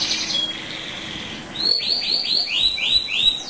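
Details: Canary rolling song used to provoke rival canaries: a brief buzzy trill and soft lower warble, then a rapid series of loud repeated upswept whistles, several each second.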